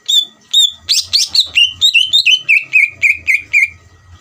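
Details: Greater green leafbird song meant to provoke a rival leafbird into answering: sustained high whistles, then a fast, regular string of downward-slurred whistled notes repeated about four times per second, with soft low knocking underneath.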